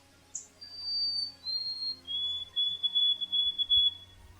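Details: White-throated Sparrow, Ontario, Canada, singing after a brief high chirp: clear, pure whistles stepping down in pitch and ending in a long, slightly wavering held note; it sings throughout the day, even after sunset.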